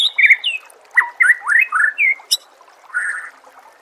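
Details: Contest-training song of a white-rumped shama, delivered as a rapid series of sweeping whistled notes, each slurring upward or downward, with a high click near the end and a softer warble closing the phrase.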